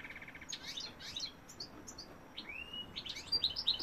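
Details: Male European goldfinch singing, 2018: a soft opening trill, scattered high twitters, one long rising whistle, then bright tinkling notes at the end.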